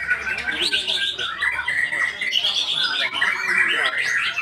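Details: Continuous song from a white-rumped shama, with clear sustained whistles alternating with chattering, chirpy runs at an even loudness.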